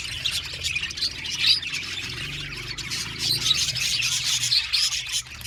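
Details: A chorus of budgerigars from an aviary colony: crowded, warbling chirps and harsh squawks overlap continuously, swelling in places and dropping off at the very end.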